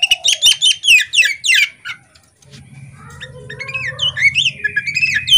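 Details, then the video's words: Chattering female Oriental magpie-robin of the poci type, tail opened, giving a fast cluster of sharp whistled notes, a short pause, then softer varied warbling over a rising low hum. "Kacer betina ngobra buka ekor ini"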